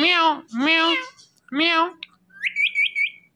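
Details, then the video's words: Talking pet Indian ringneck parrot imitating speech: three harmonic, voice-like syllables in quick succession, followed by a run of four short rising whistles; the room is otherwise quiet. "Talking Indian Ringneck Parrot"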